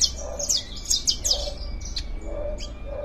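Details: Canary warming up its song, kept as a singing bird: quick bursts of high, sharply descending chirping notes with short trills, over a low steady hum and a faint mid-pitched background tone.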